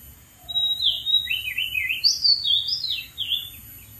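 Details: Wild Oriental magpie-robin singing from atop a dead tree; a brief low whistle, then a run of clear, sliding whistled phrases that jump between high and middle notes, with a faint steady hum behind.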